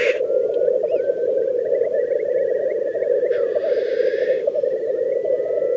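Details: Black grouse at a lek in Teesdale, North Pennines, UK, during their mating display: a steady, low, bubbling dove-like rookooing broken once by a harsh hissing sneeze, with faint thin whistles above.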